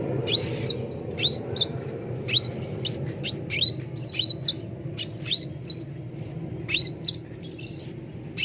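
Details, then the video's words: Sooty-headed bulbul training lure meant to make birds sing readily: bright, piercing chirped notes that flick up and then down, delivered in pairs and triplets about every half second, above a soft low rumble. "SUARA PANCINGAN CUCAK RANTING BAHAN AGAR CEPAT GACOR || MASTERAN CUCAK RANTING"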